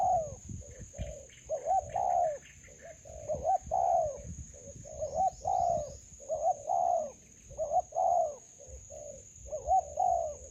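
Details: Wild spotted dove encountered while decoy trapping in a melaleuca grove, cooing repeatedly in phrases of short clipped notes and longer swelling ones, spaced irregularly. Faint rustling and a high electronic hum run underneath.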